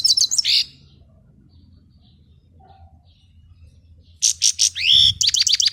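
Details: European goldfinch song: a bright burst of high twittering notes, a pause of over three seconds, then a rapid run of buzzy, chirping and slurred whistled notes with a clear upward-sweeping whistle near the end.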